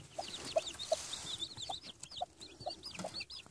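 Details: Denizli chicks just hatched under a hen in Rize peep in high arched notes. Short low clucks recur roughly every half second beneath the steady chick chorus.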